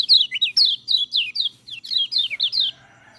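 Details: White-eye, as a training model for lazy singers, giving a series of loud, high downslurred whistles repeated about three to four times a second, ending in quieter twittering.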